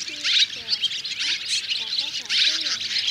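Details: Swiftlets and swallows of three kinds calling the flock to settle and roost in a thicket; steady high-pitched chattering chorus in waves, with soft voices in the background.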